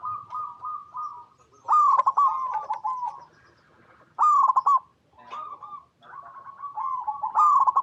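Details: Local zebra dove singing, offered as a lure to prompt other zebra doves to answer; soft rolling trills broken by loud bursts of stuttered, falling coos, about two dozen phrases a minute.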